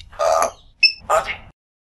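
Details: A pet African grey parrot, which speaks several languages, talks: two short, voice-like syllables broken by a clear whistled two-tone note, all within under two seconds, amid Hindi phrases like "aapka naam".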